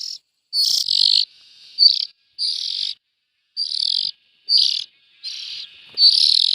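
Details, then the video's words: Young bulbuls giving a run of coarse, hissing rasps of uneven length, some loud and some softer, with short pauses between them. "Tiếng chim chèo non.suab mi nyuam noog siv txaij"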